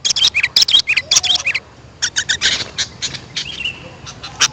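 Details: Sooty-headed bulbul calls used as a lure for wild birds: short bursts of sharp high chirps, then several curved, slurred whistled notes, a quiet gap near two seconds, and scattered chips afterwards.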